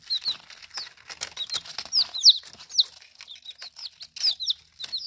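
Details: High, clear falling peeps from baby chickens during their first days of life, repeated a few times per second as they eat and drink, mixed with crisp tapping and rustling sounds.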